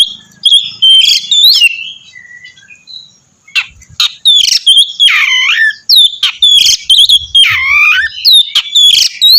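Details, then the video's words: Oriental magpie-robin in full song, used to draw another magpie-robin into singing: bright whistled notes and sweeping slurs, some long descending whistles, broken by short pauses, with a faint steady high tone behind. "kacer gacor mancing kacer lain ikut bunyi"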